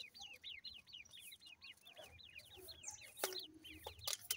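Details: Grey francolin chicks while feeding give a rapid run of high, bouncing up-and-down peeps, about four per second, several birds overlapping, ending with a few loud clicks.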